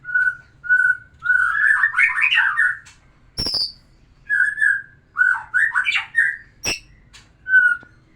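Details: White-rumped shama singing to arouse a female for breeding: short steady whistles, long rich warbled phrases, two sharp cracking clicks, then repeated fluty notes.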